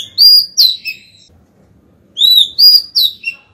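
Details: Female Oriental magpie-robin singing to call the male, used to stimulate wild-caught birds: two bursts of clear, high whistled notes, sweeping and slurred, separated by about a second of quiet.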